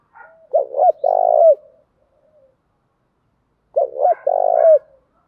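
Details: Spotted dove decoy calls for luring birds, gáy gọi style. The same phrase comes twice about three seconds apart. Each is two sharp hooked notes followed by a loud, buzzy rolling coo. Silence lies between the phrases.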